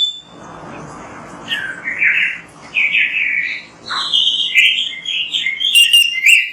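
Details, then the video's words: Lively Oriental magpie-robin singing for a training recording, a series of clear whistled phrases, slurred notes and quick high twitters that grow louder toward the end. "MASTERAN BURUNG KACER GACOR BERSUARA MANTAB"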